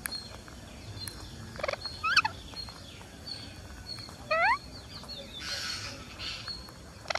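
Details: Green parakeet while feeding: two separate harmonic calls, each a short rising-then-falling note stacked in bright bands, spaced about two seconds apart over a faint hiss with scattered clicks.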